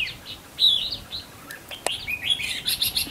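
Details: A Red-whiskered Bulbul, a decoy bird used for trapping wild bulbuls by a roadside at the end of the 2021 season, sings a run of bright, warbled chirps, brief and mid-high, in quick bursts over light background noise.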